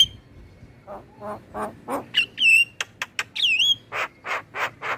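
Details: Black-winged myna with other mynas, played to stir captive birds into song: soft croaking notes building up, clear whistles that swoop down and level off, sharp clicks, then several rasping buzzy calls.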